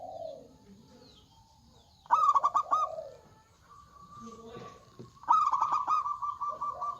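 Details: Local zebra dove, a loud and eager singer, gives two bursts of quick pulsed cooing. Each is a rapid stuttering run of bright notes followed by lower rolling coos, about three seconds apart, over a faint steady tone.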